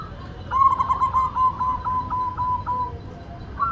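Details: White zebra dove singing: a rapid, even string of short mid-pitched notes held for about two and a half seconds, with another phrase beginning at the very end.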